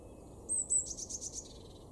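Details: Eurasian blue tit, a garden bird in Weener, East Frisia, northwestern Germany, in February: two thin, very high notes followed by a quick, softer buzzy trill, with a low background hum.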